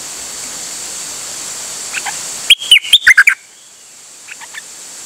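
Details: Dok taeng bird, 8 September 2023, delivering a brisk phrase of about six bright whistles that rise and fall, with softer chirps before and after over a steady hiss.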